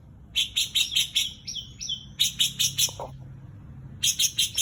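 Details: Greater green leafbird mimicking white-eye song, with bursts of rapid high chirped notes broken by a few short whistled slurs, then a brief pause before another quick chirping run.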